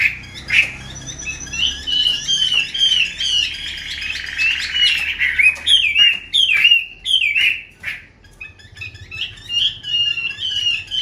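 A female hwamei gives a rapid run of chattering, scratchy notes with quick down-slurred whistles, high and busy throughout, with short pauses between bursts.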